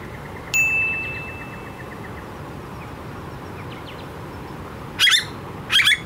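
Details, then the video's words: A very noisy, vocal Australian blue-faced honeyeater gives two loud, harsh squawks less than a second apart, after a clear ringing chime-like tone and faint scattered chirps. "The Very Noisy Blue-faced Honeyeater"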